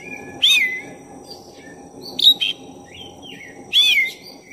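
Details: Song of a black-breasted oriental magpie-robin used to stir another magpie-robin's emotions: three strong phrases of scratchy noise into descending whistles, with softer warbled notes between, over faint hum.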